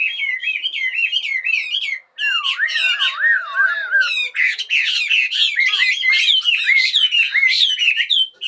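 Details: Birds singing in the morning: a continuous stream of loud whistled, wavering phrases, rapidly repeated with some lower looping whistles, and sharp chirps throughout.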